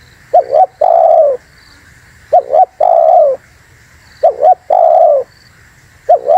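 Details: Spotted dove call meant to lure wild doves and provoke others: steady cycles of two short coos and one long, softly falling coo, about every two seconds, with faint high chirps in the background.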